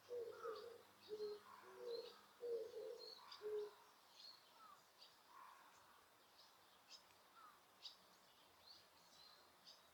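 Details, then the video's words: Bird calls in Osaka Castle Park, Osaka, noise-reduced recording with no people about: four seconds of low, soft cooing notes in short pairs, then only scattered thin high chirps and brief whistles from other birds. "大阪城公園 鳥の鳴き声"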